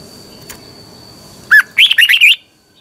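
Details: Red-whiskered bulbul morning song in the double, twisting voice, a lure song used for training birds. One lower whistled note opens a quick run of rolling warbled notes, while a constant thin high tone runs underneath.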